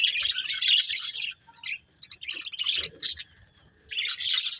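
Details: Breeding pair of budgies chattering in three bursts of high, scratchy warbling and chirps separated by quiet gaps, with a soft low sound between.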